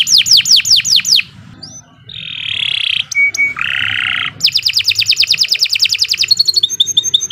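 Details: Caged canary song used as a master recording for training birds: fast trills of sharp descending whistled notes, a buzzy rattling section, then long rapid rolling trills of repeated high notes ending in quick chips.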